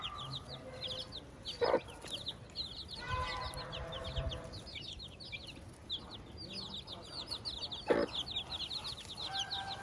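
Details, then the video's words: Farm chicks peeping busily around their mother hen, many short high chirps overlapping continuously, with a brief harmonic hen call in the middle and two sharp clicks or taps. "the hen with her chicks"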